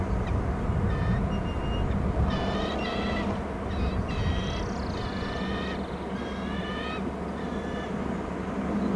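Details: Eagle screeching at a Hornby Island nest as its mate brings a fish and the eaglets are fed. Loud clusters of harsh, ringing, harmonic notes repeat rapidly in several bouts over a continuous low background drone.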